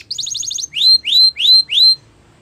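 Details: Canary singing for training: a quick burst of about seven short high chirps followed by four loud drawn-out rising whistles, each roughly a third of a second long.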